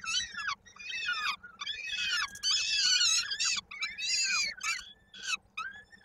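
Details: Peregrine falcon at a nest in Koszalin, Poland, 16 May 2022, while the female feeds and a chick's foot gets stuck in a beak. Harsh, hoarse, wailing cries with rising and falling arcs come in rapid bursts and overlap. A low steady hum runs underneath.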